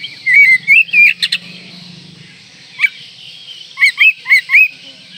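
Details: Oriental magpie-robin in breeding condition, provoking rivals: a few clear whistled rising notes, a pause, then four loud looping whistles in quick succession over faint hiss and low hum.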